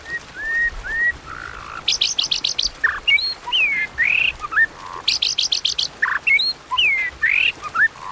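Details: White-rumped shama contest song in the 'kéo thuốc lào' style: two mellow slurred whistles open, followed by repeated bursts of scratchy rapid clicks mixed with looping whistles and squeaky notes.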